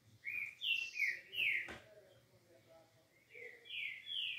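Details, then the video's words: Green-winged saltator singing smoothly: loud, rich whistled phrases of sliding notes in a quick burst, a brief pause, then another rising-and-falling phrase. "CANTO DESSE TRINCA FERRO"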